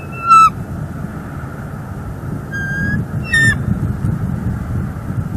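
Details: Female bald eagle at a Northeast Florida nest, filmed by live nest camera on 3 December 2021, calling as the male brings fish and sticks: three short, shrill, ringing notes spaced a few seconds apart over steady low rumble.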